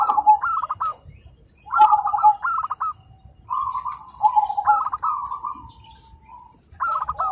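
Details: Zebra doves in morning song, answering each other: clear cooing phrases of quick stuttered notes followed by longer smooth coos, separated by short pauses, one long fading note near the end.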